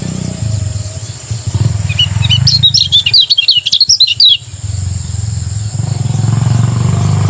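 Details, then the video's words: Lemon-bellied white-eye from Lombok singing ngejos in the morning: a roughly two-second burst of fast, high twittering that rises above a persistent low rumble heard before and after it. "masteran kecial kuning ngejos di pagi hari membuat kecial kuning anda ikut bunyi"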